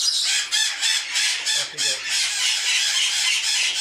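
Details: Young captive-bred Congo African grey parrots, bred in the 2009-2010 season, give a nonstop grating, raspy churring that pulses about three times a second, with no pauses.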